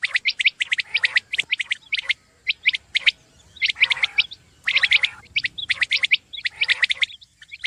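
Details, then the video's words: Common quail calling, repeated clusters of short sharp notes in quick bursts separated by brief pauses, the loud clicky phrases coming again and again over a quiet background. "Khobsorat saaf Batair Ki Awaz| Batair ki Awaz , Batair Sound vol 33 , Common Quail Sound 2020"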